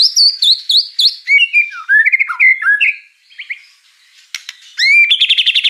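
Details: Song of a white-rumped shama full of mimicked fill-in phrases, opening with high repeated whistled notes, shifting to lower slurred warbles, pausing briefly, then ending in sharp clicks and a rapid high trill.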